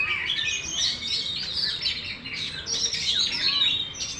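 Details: Caged Oriental magpie-robin, a contest champion kept for competition, fans its tail fully open while singing. It gives a dense run of sweet whistles, buzzy trills and quick rising notes, singing almost without pause against a faint background hum.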